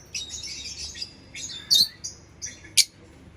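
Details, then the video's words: Lovebird twittering in a rasping chatter, broken by a few sharp, very high chirps, one especially loud near the end. "Lovebird Chirping Sounds"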